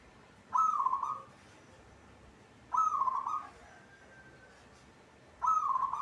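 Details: A local zebra dove (perkutut) kept as a cage bird sings three loud, purring coo phrases. Each opens with a sharp note and rolls on for under a second, with gaps of about two and a half seconds.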